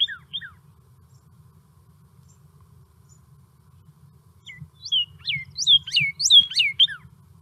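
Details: Northern Cardinal, a sound heard in the desert of southeast Arizona, giving two clear downward-sliding whistles, a pause, then a quick siren-like run of slurred whistles; a faint low hum underneath.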